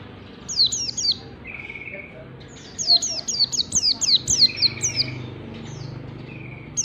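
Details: Training recording for caged white-eyes, ngalas style: short runs of piercing descending whistles, first three, then a longer burst of about eight, with a brief flat tone between phrases and faint background noise.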